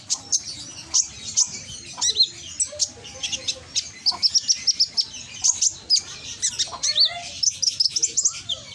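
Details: Konin singing loudly in Gresik, East Java, played as a lure so idle konin answer; busy high twittering with sharp chirps, fast trilled runs and a few sliding whistles, steady throughout.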